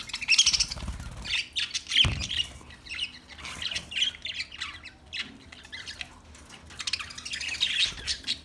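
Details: Budgerigars giving repeated harsh squawks and chirps in loud clumps about every second, mixed with softer warbled chatter between bursts.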